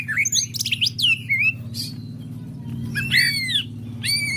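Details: Greater green leafbird in full song low down, quiet when higher up: short bursts of squeaky, slurred whistles and chirps, some arching notes with strong overtones, separated by pauses, over a constant low droning hum.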